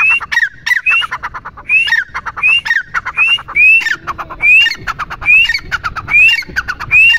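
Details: Grey francolin, or teetar, calling repeatedly: clicking bursts capped by sharp rising whistled notes, about ten phrases in seven seconds at an even rhythm.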